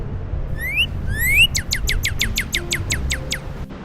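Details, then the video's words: Northern cardinal song said to sound like firing lasers: two rising whistled slurs, then a quick run of about ten sharp, down-sweeping notes, with faint music underneath. "To me, northern cardinals kind of sound like they're firing lasers."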